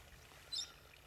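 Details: At sunset on 4 July 2016 in Sabi Sand, a bright-green-backed Brown-headed Parrot gives a single brief, high, metallic scraping note, like a metal chisel striking an anvil, over faint background hiss.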